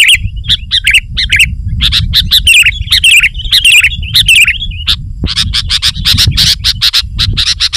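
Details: Sooty-headed bulbul in spirited 'gacor' song for luring wild birds: bubbly rising and falling warbled phrases, then a fast stream of sharp chattering notes, with a low rumbling background.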